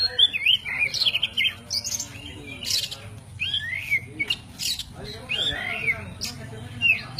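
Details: White-breasted oriental magpie-robin, known locally as kacer poci, singing isian alasan fills for songbird training: loud, varied whistled phrases mixed with harsh clicks and squeaky notes in quick, uneven bursts.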